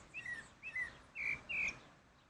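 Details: Pale-breasted thrush (Turdus leucomelas) singing outdoors in nature: four short whistled phrases, the first two dropping in pitch and the last two fuller and sustained, over faint background hiss.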